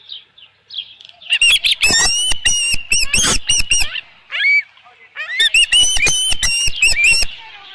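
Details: Osprey at a nest with a headless fish on a ranch, 27 June 2018, around 12:48 PM: two bursts of loud, harsh, rapidly repeated chirping whistles with faint softer calls in between.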